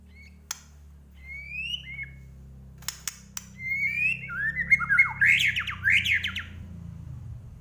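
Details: Medan-type white-rumped shama singing: a few sharp clicks, then clear slurred whistles building into a fast, loud run of varied rich notes and harsh squeaky phrases toward the end, over a low indoor hum.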